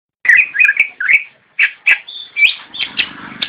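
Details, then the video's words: Javan white-eye singing in the nyinden style. Short bursts of bright chirping twitters, each phrase broken by brief pauses, with a longer high thin note partway through. "Cicak rowo nyinden"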